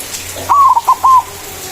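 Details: Manggung song of a white zebra dove, a frequent singer used as a lure to attract rivals: one clear phrase of a long descending coo, two short notes, and a rounded final coo.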